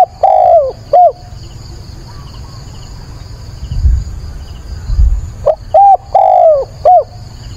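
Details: Caged decoy spotted dove cooing at dawn on 22 October while being trained. A phrase ends at the start, then after several quiet seconds comes another four-note phrase of short hoots around a long falling coo.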